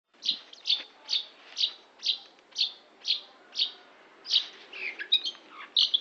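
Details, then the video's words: Long-tailed shrike singing a series of about nine short, sharp, high notes spaced roughly half a second apart, then a quicker jumble of varied chirps and squeaks near the end. "Burung Cendet"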